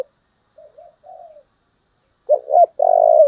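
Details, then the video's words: Soft wavering murmurs from a spotted dove in the taut 'giọng thổ' voice, then two sharp hooted notes and a long loud coo. The recording serves as a decoy model for luring. "cu gáy giọng thổ Thúc rất căng, hình mẫu chuẩn để anh em chịm mồi"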